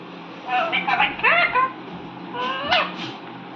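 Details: Indian ringneck parakeet, a talking pet parrot: two short bursts of squeaky, rising and falling syllables that mimic speech, over a faint steady background hum.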